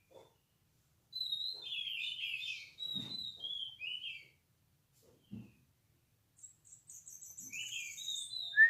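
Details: Orange-headed thrush, a caged bird kept for song competition, singing loud high whistled phrases with buzzy descending notes, short pauses between bursts, and a few faint low knocks in the background.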